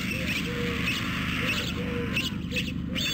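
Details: White stork nestlings at Carpinis, Romania, begging from hunger on 12 August 2014, filmed by a nest webcam. Brief drawn-out mews repeat irregularly about every half second, with faint high chirps and a droning hum behind.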